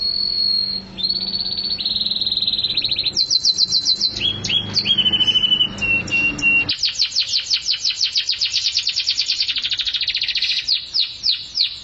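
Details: Canary in intense 'mabok teler' song: long steady whistled tones giving way to dense, continuous rapid trills of sharp descending notes, delivered without pause and loud throughout.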